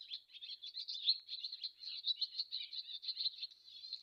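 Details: Continuous high swallow chatter, fast scratchy notes strung together without a break, a few whistled trills near the end, close and clear.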